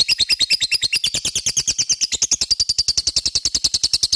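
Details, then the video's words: Lovebird giving a sustained ngekek for provoking other lovebirds: a loud, fast, regular high-pitched chattering rattle, each pulse sharp and evenly spaced throughout. "Pancingan LOVE BIRD gacor ngekek,mudah di respon lawan"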